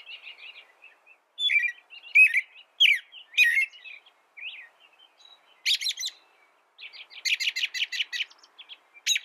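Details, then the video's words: Bright, whistled American robin phrases with clear pauses between them, interrupted by thin, high, squeaky notes and a fast buzzy series of sharp repeated chips near the end. "American Robin Bird Sound, Bird Song, Bird Call, Bird Calling, Chirps"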